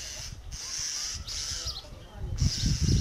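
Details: Common starling feeding its chicks, paying no attention to nearby people. A steady, high, breathy hissing rises and falls in long stretches, broken by brief pauses, over low rumbling handling and background noise.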